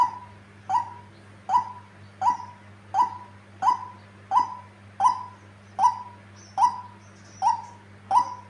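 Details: Female white-breasted waterhen, tame and calling persistently, delivering a long steady series of about twelve identical short notes, each with an abrupt start and a level mid-pitched tail, repeated every 0.7 seconds over a low hum.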